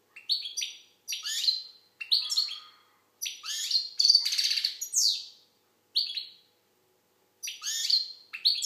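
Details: Algerian European goldfinch singing in short bursts: swooping chirps, a buzzy rattling trill and tinkling twitters, separated by brief pauses.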